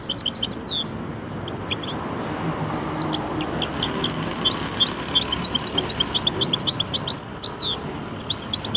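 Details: Chattering Widani song by a goldfinch × canary cross, quick runs of bright twittering notes following one another with short pauses between phrases.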